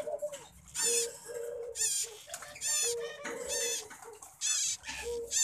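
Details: Bonded breeding pair of caged plum-headed parakeets: bursts of harsh, rapidly wavering high calls roughly once a second, alternating with soft low cooing notes in between.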